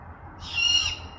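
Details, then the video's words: In Western Washington, a great horned owl gives a single rough, breathy screech of roughly half a second, noisy and hoarse with a narrow whistled streak inside, against quiet low background rumble. "Great Horned Owl Screeching"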